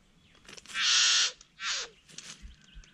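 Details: Satin bowerbird performing its courtship dance at the Wombeyan Caves reserve: a loud, harsh, buzzing rasp about half a second long, then a shorter grating note that slurs downward. Faint rustles follow.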